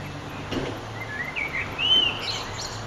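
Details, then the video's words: A Eurasian blackbird sings at sunset on 9 June 2011, one fluty, warbling phrase climbing to a high, thin twitter, over a low background rumble; Common blackbird. "Blackbird's Song"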